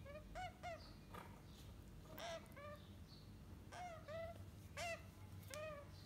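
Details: Parrot chicks four weeks old calling repeatedly: nasal, rasping notes that bend down then up, often doubled, coming about every second over a low background hum.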